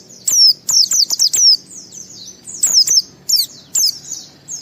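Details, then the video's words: Loud white-eye song in the ngalas, ngeplong style, used to lure other white-eyes into singing, heard as bursts of sharp, high, descending chirps in quick clusters separated by brief pauses, with clicking noises in between. "Suara Burung Pleci ini Raja Menggoda Semua Pleci cepat Ngalas Ngeplong Gacor"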